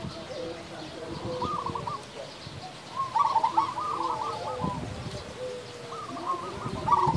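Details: Loud-voiced local zebra dove singing: three bursts of quick, rolling coos about every three seconds, with softer, lower drawn-out coos from other doves and a low rumbling background.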